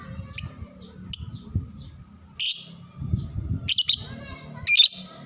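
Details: Young-bird training song of a lovebird: scattered thin, high chirps, a few faint and others louder toward the end, against noticeable low rumbling background noise.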